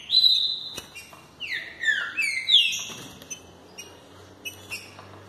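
Green-winged saltator delivering loud, rich whistled phrases that slur downward, then a few softer short notes, with a couple of faint knocks in the background.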